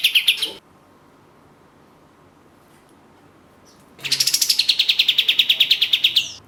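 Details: Orange-spotted bulbul singing as a lure recording for songbird enthusiasts: a brief burst of high chattering notes, over three seconds of near silence, then a fast, even run of about twenty sharp, high chirps.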